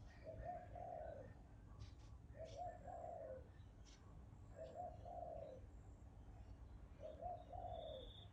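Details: A bird gives low, soft, two-part cooing phrases, repeated roughly every two and a half seconds, four times. Faint higher chirps sound in the background over a steady low rumble.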